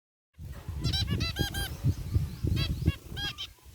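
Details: Zebra finches, a group including white and gray birds, chirping in a cage aviary: short nasal honking calls with stacked harmonics in quick irregular bursts, over low rumbling background noise.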